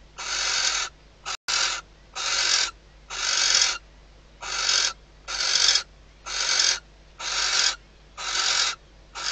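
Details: A nesting female barn owl at Riet Vell reserve, Ebro Delta, calls to her mate at night with hatching days away, before the pair mates. Nine evenly paced, screechy hisses about a second apart, with one sharp click early on.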